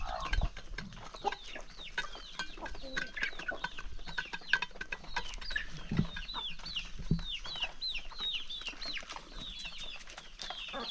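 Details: A flock of chickens feeds on a peaceful farm morning. A steady stream of high, thin peeping notes repeats many times a second, with occasional low clucks and knocking sounds below.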